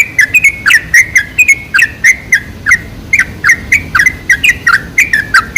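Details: Lure song of the sooty-headed bulbul for attracting other bulbuls, a continuous stream of quick, cheerful, bubbling whistled notes with sharp downward flicks, delivered at an even, lively pace.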